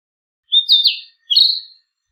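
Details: A Narcissus flycatcher (Ficedula narcissina) sings two clear, sweet whistled phrases, each about half a second, sliding and warbling between high notes, with silence around them.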